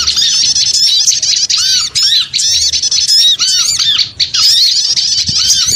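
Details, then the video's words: Lure sound of small birds: rapid, shrill overlapping squeaks and chirps with repeated lower arched whistles, almost continuous with short dips. "Suara Pikat Burung Kecil Ribut Ampuh"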